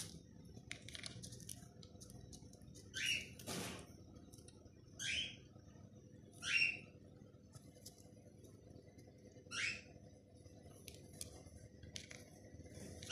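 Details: A cockatiel playing gives short, scratchy chirps spaced a second or two apart, with a soft thump between.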